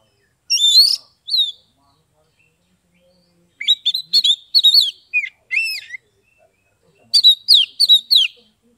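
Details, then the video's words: Oriental magpie-robin (kacer) song from Kebumen, Central Java, Indonesia, used to prompt silent or reluctant birds to sing; bursts of varied whistled and chirped phrases in three groups, sharp sweeping notes with pauses between. "SUARA KACER NGEPLONG untuk terapi kacer bisu, malas bunyi, langsung respon dan gacor"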